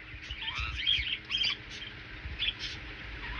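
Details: Pet rainbow lorikeet bathing in a small pool, giving short high chattering chirps and squeaks in scattered bursts, with splashing and water noise beneath.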